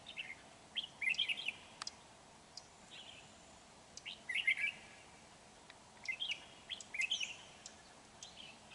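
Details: Red-whiskered bulbul used as a lure bird for trapping, recorded 31 January 2019: short, bright, chirpy warbled phrases in bursts about every one to two seconds, with quiet gaps and faint background hiss.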